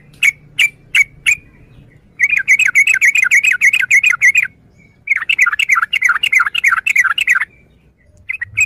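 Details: Yellow-vented bulbul: three sharp separate notes, then two long runs of rapid, buzzy chattering with a faint hum behind.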